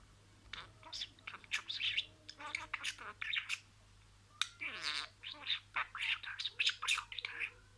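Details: Pet budgerigar imitating words: rapid chattering warble of scratchy, buzzy syllables and short speech-like harmonic phrases, broken by a brief pause near four seconds before the quick run of chirps resumes.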